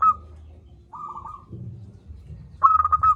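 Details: Loud local zebra dove, offered as a prompt for lazy singers: a soft rolling coo, then a sharp stuttered cooing phrase near the end, with faint low hum throughout.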